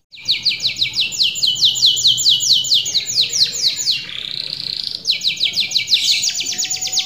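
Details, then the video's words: Vigorous canary song for luring other canaries: a long fast roll of repeated descending notes, a brief buzzy rising phrase, then a new rapid roll of slurred notes. "TERAPI PANCINGAN KENARI GACOR | CANARY SINGING"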